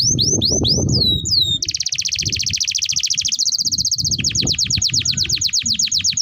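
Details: Tutor song of a lively canary for training young birds: curling whistled notes, then a sustained rapid buzzy trill and a steady run of repeated sweeping syllables, with faint low background noise.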